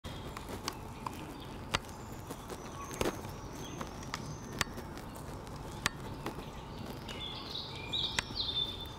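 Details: Great spotted woodpecker pecking wood in a city park in Kraków, Poland, on 18 June 2023: sharp irregular knocks about every half second, with faint high bird chirps near the end over a low background hum.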